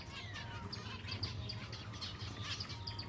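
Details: Silver Java sparrows at feeding time: a flock gives short, bright chirps in quick irregular bursts over a steady low hum, with a faint thin whistle-like tone running through the background.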